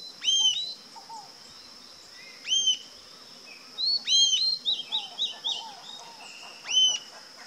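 Rufous-tailed Jacamar giving sharp, high, upslurred notes every two seconds or so, once breaking into a quick run of notes, over a steady insect hiss and faint lower calls.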